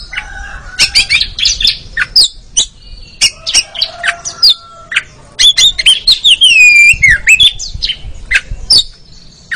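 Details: Kacer (Oriental magpie-robin) ngeriwik song used as therapy for slow birds: a long varied stream of sharp chirps and chatter, with a loud, sweeping, wavering whistle in the middle.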